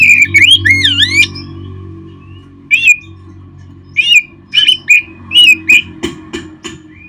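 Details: Oriental magpie-robin (kacer), a caged bird, in a recording meant to spur caged birds into song: swooping slurred whistles at the start, then separated short whistled phrases at irregular intervals over a steady low hum.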